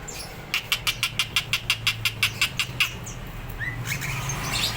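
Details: Greater green leafbird in full song, described as ready to fight: a rapid series of about a dozen sharp, evenly spaced chirps, then thinner scattered high notes.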